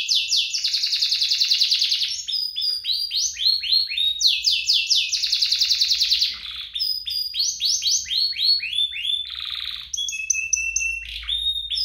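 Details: Duo of energetic canaries used as a singing lure for young birds: two long rolling trills, each followed by bursts of rapid downslurred notes, ending with buzzy chatter and high whistles.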